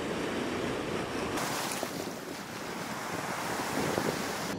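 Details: Strong wind buffeting the microphone over rolling surf, and no animal calls.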